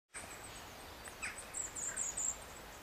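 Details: A Firecrest at Far Pasture gives a quick run of very high, thin, needle-like 'zit' notes in the second half, over a steady background hiss.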